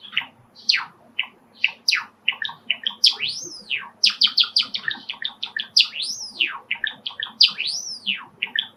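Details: Indoor pet Java sparrow singing, stirred up by sparrows calling outside in a park beyond a screened balcony window; rapid run of clicking chirps broken by repeated arching whistled notes, continuous and lively.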